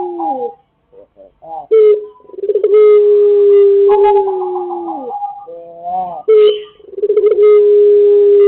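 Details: Pelung chicken crows on a lure recording of a vocally active bird. Long, sustained, mellow tones overlap one another, with quavering onsets, gentle slides and a steady held note, and bursts start abruptly one after another.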